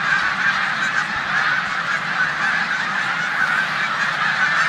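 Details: Migrating snow geese massed in a corn field alongside resident Canada geese, Savannah, New York, March 14, 2020; countless overlapping nasal honks merge into a steady roaring wall of sound without pauses.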